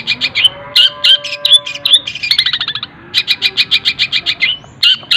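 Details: Cendet (long-tailed shrike) song filled with tengkek buto imitation, fast and dense, used as a tutor recording for other birds: bursts of sharp, buzzy chattering notes repeated rapidly, broken by short pauses and a brief lower rattle.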